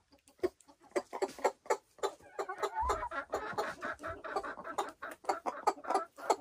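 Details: Silkie chickens on a homestead in the Vermont hills, loud close clucking in a dense, rapid series of harmonic notes from several birds, with a brief low thump.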